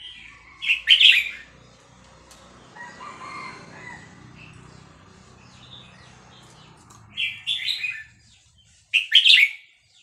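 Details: Vietnamese red-whiskered bulbul singing fast linked phrases, excited into singing along with played recordings of hatched chicks; loud liquid warbled bursts at the start and end, with quieter scattered notes and murmur between.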